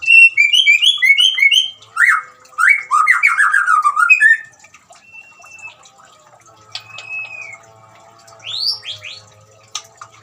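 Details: Running water with white-rumped shama song, offered as therapy for a shama that has stopped singing: lively whistled and chattering phrases for four seconds, then quieter scattered notes and a few sharp rising whistles.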